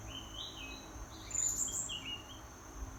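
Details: Greater green leafbird singing while molting: a run of thin whistled phrases, sliding and warbling around the upper middle range, repeated through the passage over a steady low background hum.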